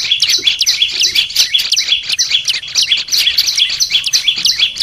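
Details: Olive-backed tailorbird, a kept cage bird, in training material meant to get birds singing steadily: rapid high, sharp chirps and short trills pouring out almost without pause.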